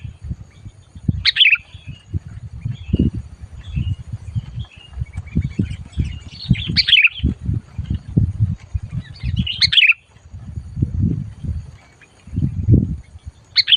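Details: Sooty-headed bulbul calling fiercely under a trapping lure: four separate bursts of sharp, bubbly chirps spread over about fourteen seconds, softer twitters between them, and constant low knocking and rustling noise.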